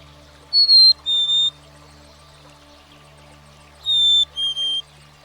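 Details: Black-capped Chickadee, a common American backyard bird, singing two clear whistled phrases about three seconds apart. Each is a steady higher note followed by a lower note broken into two parts, over a faint low steady hum.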